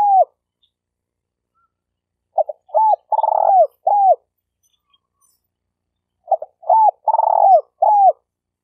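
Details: Lure call of a spotted dove, stuttering style, meant for teaching newly caught birds: phrases of clipped coos, a long burry coo and a final bent note, repeated roughly every four seconds.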